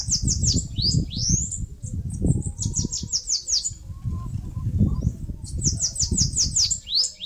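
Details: Bananaquit, also called sibite, singing in Brazil's Northeast where it nests in mandacaru: repeated bursts of very high, fast, buzzy slurred notes, several runs back to back, over continuous low rumbling noise.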